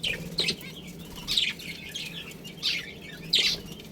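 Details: Budgerigar colony with a breeding pair kept as pets, giving short bright chirps in bursts about every second, high and scratchy, over a steady low hum with faint background chatter.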